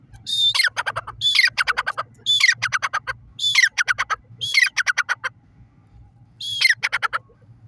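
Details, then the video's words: Grey partridge calling in a forest: loud, harsh phrases, each a high squeaky note followed by a quick run of grating pulsed notes, repeated about six times over seven seconds above a steady low hum. "Gray Partridge Birds Fun Voice titer awaz"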